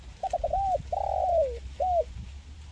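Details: Spotted dove singing in the crisp 'mersik' 'kuk 1' manner. A burst of three fast stuttered notes runs into an arched coo, then a long coo that sags downward, ending on a short rounded coo. Faint low hum underneath.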